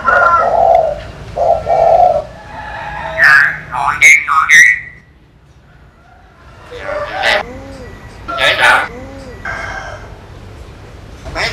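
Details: A talking common hill myna imitates human speech with voice-like syllables, sharp rising whistles and nasal squawks in bursts over several seconds, with a faint hum behind.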